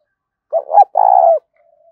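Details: Spotted dove cooing, used as a lure to draw wild doves across a field: two short hollow notes, then a long, steady, purring coo held for about half a second, low and mellow, with clean silence around it.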